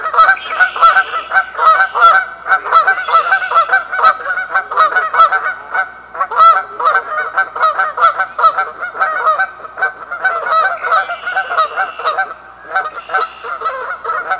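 Canada geese honk loudly and continuously, a dense chorus of nasal, overlapping honks from several birds with no pause.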